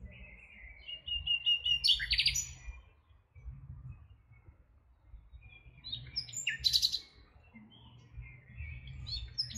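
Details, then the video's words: Nightingale phrases: a run of repeated piping notes ending in a loud crackling trill, a pause, then a second sharp rattling burst, over steady low rumbling background noise. "Cantec de privighetoare - Nightingale's song"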